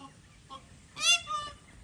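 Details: An upland (Magellan) goose at a breeding farm gives one loud, harsh, rich honk, then a softer, thinner note. Two faint, brief calls come before it, over a light hiss.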